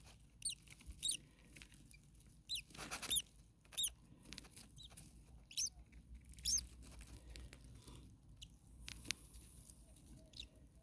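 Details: Common starling nestlings in a very hot nest give thin, high, wheezy squeaks in short scattered bursts, with quiet gaps and faint low background rumble.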